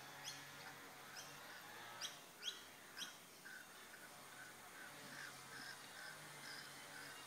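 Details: Mating rainbow lorikeets in the bush give several sharp, grating screech notes spaced about half a second apart, then softer, fainter chatter continues in the background.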